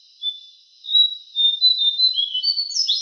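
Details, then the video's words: Javan cochoa song used as a training recording for cage songbirds: thin, high whistled notes, a long level whistle followed by slurred notes that dip and then rise sharply at the end. "Masteran suara burung jongkangan"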